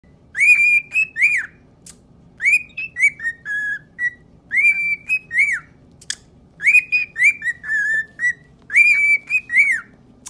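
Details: Cockatiels singing their favourite learned song, whistling clear, slurred phrases in repeated bursts, bright and melodic with sharp upward and downward sweeps.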